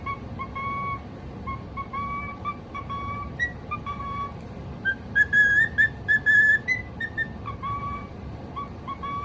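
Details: Singing pet cockatiel: repeated level whistles, then a louder burst of sharp rising notes midway, and more whistles after, over a low droning background.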